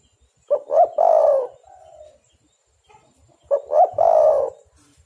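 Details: Spotted dove calling vigorously, recorded for use as a lure to attract and trap doves: two mid-pitched cooing phrases about three seconds apart, each made of two short rising notes and then a long, throaty, falling coo.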